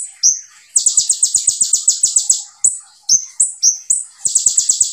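A sunbird sings a very high, fast song: rapid bursts of sharp, buzzy notes run together in long trills, broken by short whistled phrases.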